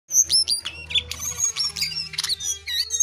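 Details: Jongkangan singing vigorously: a fast, varied run of high chirps, sharp whistled notes and short trills, with a faint low hum underneath.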